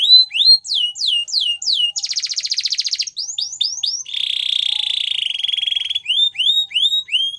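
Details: Female Belgian canary singing in the morning: tours of rising whistled notes repeated quickly, then a dense buzzy trill, another sweeping series, and a steady rattling roll before the rising whistles return.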